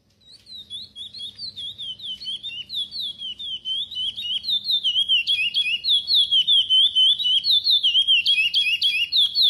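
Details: Chestnut-bellied seed finch (curió pardo) singing a praia-style song, edited for tutoring young birds. A continuous run of rapid whistled, warbling notes about four per second, with sliding up-and-down phrases. It starts soft and grows steadily louder.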